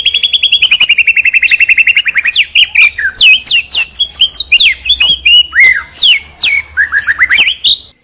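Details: Prize white-rumped shama in energetic song: a rapid rattling trill at the start, then a dense tumble of sharp sweeping whistles, chips and high squeaky notes, varied and loud throughout.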